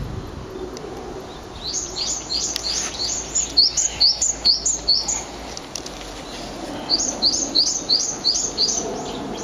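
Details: Alarm calls of two Japanese tits heard on a bridge near an ecological garden on April 18: two strident series of high, clipped double chirps, repeated quickly about seven times each, separated by a brief lull.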